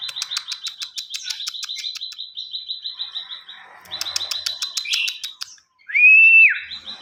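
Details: Lively ciwah song used to teach other songbirds: two bursts of rapid, high, evenly pitched chirping separated by a brief lull, followed by a loud, sliding whistle.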